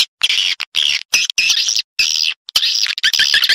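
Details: Lure sound of edible-nest swiftlets, meant to attract birds from other houses into a private nesting house; several longer, dense, buzzy twittering bursts, high-pitched and harsh, separated by brief silences.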